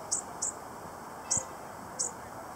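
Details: A lone bushtit at Gas Works Park gives four very high, thin, short tsit notes at uneven intervals over a steady background hum, with one soft low thump.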